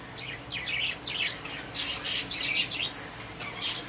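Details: Caged pet budgerigars chattering, a dense run of scratchy, buzzy chirps and warbles that overlap with little pause, loudest in the middle.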